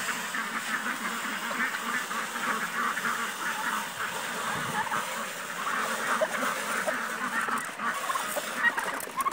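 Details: On a farm, a flock of turkeys gathering at feeding time keeps up a dense, rattling chatter of overlapping calls, rising and falling like a car alarm, with faint human voices nearby.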